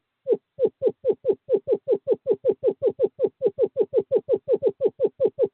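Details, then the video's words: Male screech owl at a nest box in courtship season, 11 February 2023, calling his mate: a steady, even train of about twenty-five low hollow hoots, each roughly a fifth of a second apart. "Male screech owl calls female to owl box"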